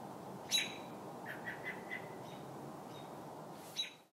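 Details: Robin distress call: two harsh, high screeching cries about three seconds apart, with a quick run of four thin notes between, over a steady background hiss.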